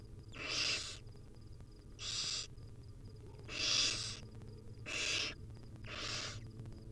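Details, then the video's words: Wild barn owl chicks on camera, hungry and being fed by their mom: a run of five breathy rasping hisses, roughly one per second, varying in loudness, steady background hum. "Hungry baby barn owl nestling get fed tiny bits by their Mom."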